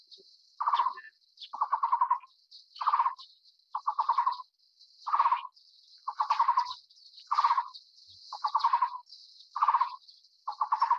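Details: Taiwan Barbet (Psilopogon nuchalis), endemic to Taiwan's broadleaf forests, at the nest feeding a chick, giving low, hollow notes in quick pulsed runs, a new burst about every second, over a steady high insect drone.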